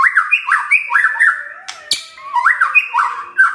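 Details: White-rumped shama (murai batu) song full of varied imitations, with rapid crackling bursts and sharp shot-like notes: rich whistled phrases stepping up and down, repeated in quick succession.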